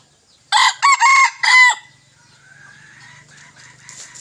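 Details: A young male decoy junglefowl, recorded 21 May 2023, gives one short, hoarse crow in four quick, broken phrases lasting just over a second, then a faint low hum.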